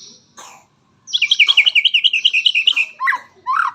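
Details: White-rumped shama delivering a fast rattling series of about fifteen high repeated notes, followed by lower rising whistled phrases.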